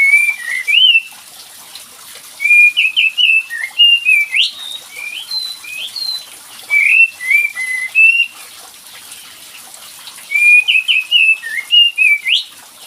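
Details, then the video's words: Kapas tembak bird used as a lure to coax a lazy singer: rapid bursts of bright, jumpy whistled notes, repeated in phrases about every two to three seconds, over a steady hiss. "SUARA PANCINGAN UNTUK KAPAS TEMBAK MALAS BUNYI"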